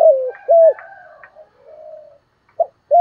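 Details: Spotted dove song, hạp bổi voice: the tail of a descending burry coo, a clean level coo, then a stretch of faint low cooing before short sharp notes begin a new phrase.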